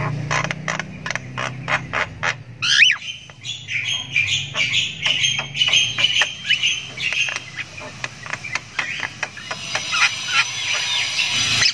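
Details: Javan myna nestling chirping, the ngriwik of a chick learning to call: quick clicking pulses, then a wavering buzzy chatter, with a low background rumble and possible faint voices.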